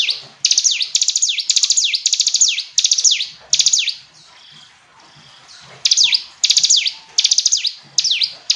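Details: Clear song of a hill prinia: quick, high, falling whistled strokes in rapid runs, broken by a silent gap of about a second and a half before the strokes resume.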